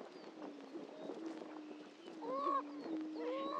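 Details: Greater prairie-chickens at a historic lek, Dunn Ranch Prairie, Hatfield, Missouri: steady low hoots, building to two loud rising whoops toward the end amid faint clucking.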